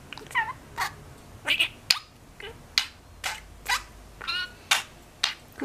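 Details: Three-year-old male pet budgerigar in Mie Prefecture, Japan, which talks in Kansai dialect and converses with its owner, replying with words like tea and ate; a series of short, harmonic chattering vocal bursts about every half second, with the owner's voice nearby.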